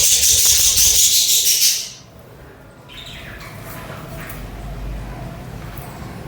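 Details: Budgies, also called parakeets, chirp and chatter: a loud dense burst of high, rapid buzzy chirps repeated about three times a second, then fading into softer scattered twitters.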